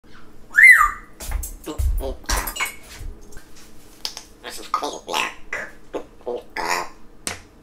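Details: African grey parrot breaking the word "black" down into its individual phonemes; a quick rising-then-falling whistle opens, followed by a run of short, clipped speech-like syllables and squawky bursts with brief pauses between.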